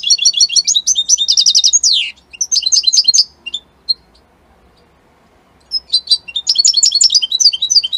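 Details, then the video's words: European goldfinch, Italian type, singing a fast jingling twitter that ends in a downward slurred note, scattered chirps, a pause of about two seconds, then a new burst of bright rapid notes. "من أقوى تغاريد طائر الحسون الجميلة الحسون ايطاليا"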